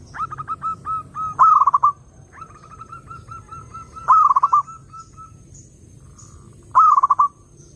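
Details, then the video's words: Zebra dove song meant to attract doves: three loud trilled cooing bursts spaced about two and a half seconds apart, separated by steady runs of softer repeated coos on the same pitch. "SUARA BURUNG PERKUTUT _JERNIH_💯AMPUH_SEKALI PUTAR SEMUA PERKUTUT LANGSUNG NYAMBER"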